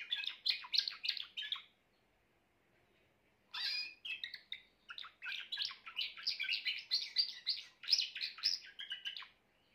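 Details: Grey Timbrado canary in full song: a quick trilled phrase, a two-second silence, then a long bright stream of rapid rolling notes and chirps.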